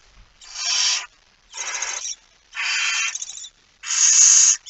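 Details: Four steady, noisy hisses, each about half to three quarters of a second, from a barn owl with a mouse, recorded at 01:49 on 17 September 2019.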